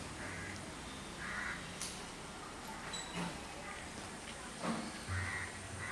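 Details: Wild great hornbill (Buceros bicornis) in jungle in Goa giving three harsh, nasal, barking calls spaced a few seconds apart, with sharp knocks and a low background rumble.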